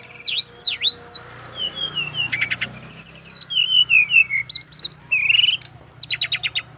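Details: A male brown-chested jungle flycatcher from Bali sings a song reportedly answered at once by other birds of its kind. Steep swooping whistles, rapid buzzy rattles and descending slurred notes come in busy succession over a low background hum.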